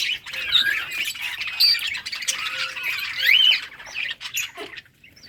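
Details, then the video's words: Colony of budgerigars playing in summer breeding season, recorded August 23, 2023; dense overlapping warbling chatter and squeaky chirps from many birds, with a few clearer rising whistles, fading near the end. "budgies beautiful colors playing and chirping"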